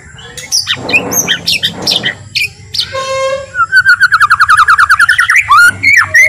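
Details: White-rumped shama, a calm, slow song meant to provoke other shamas into singing: harsh buzzy notes, then a fast trill of about twenty rapid repeated notes rising and falling, ending in a sharp upward sweep; steady low hum behind.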